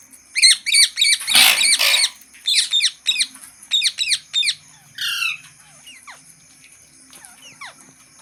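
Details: Green parrot chattering in a quick series of short, bright, bouncing calls about three per second, one broad harsh burst early on, then a few sliding whistles trailing off, with a steady faint hum.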